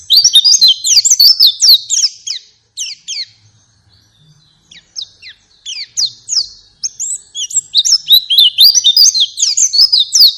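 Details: White-eye; song; played to prompt a pet bird to sing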